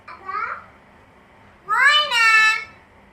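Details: A talking common hill myna, red-billed and yellow-footed from the Chittagong hills, says two word-like utterances in a quiet room: a brief nasal syllable, then a louder, husky two-part human-like phrase; it says words like baba, ma, moyna.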